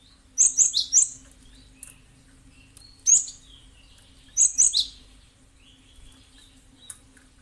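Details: Cinereous tit calling as a lure for other birds to join in: quick bursts of three to four sharp, high chirps, a single chirp between them, and softer short whistled notes trailing after, over a low background hum.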